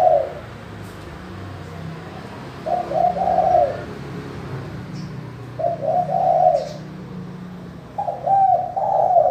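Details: Spotted dove cooing in a clear, crisp voice, used as a lure to get reluctant doves calling; low, mellow rolling coos repeated every few seconds, each a short burst of soft notes, with faint chirps and room noise behind.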